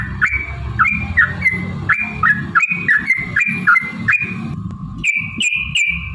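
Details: Yellow-vented bulbul song played as a lure to provoke singing and fighting: quick chuckling, warbled two-part phrases repeated steadily, then a sustained rising whistle-like trill, with heavy low background noise throughout.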